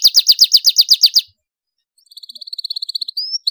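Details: Domestic canary with a strong voice, used to spark singing in young canaries: a rhythmic series of about ten loud downslurred notes, a pause of under a second, then a softer quick trill ending in a rising whistle.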